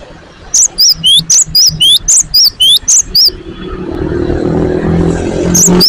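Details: Newly caged great tit singing a quick run of about ten rising and falling whistled phrases. A low rumbling hum, like a passing vehicle, then swells and covers the rest, with a last note at the end.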